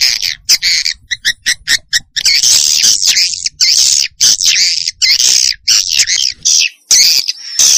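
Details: Lure recording of swiftlets, played to draw the birds in: loud, high, buzzy chirps, first in short separate bursts and then in long, continuous stretches of harsh, wavering twittering with brief pauses between them.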